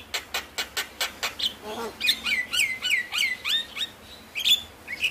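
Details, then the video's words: Javan myna lure song meant to get lazy mynas singing: a run of sharp clicking notes, then a string of varied whistles dropping in pitch, mixed with brief chattering. "Pancingan Burung Jalak Malas Bunyi | jalak Stres / Jalak Pikatan"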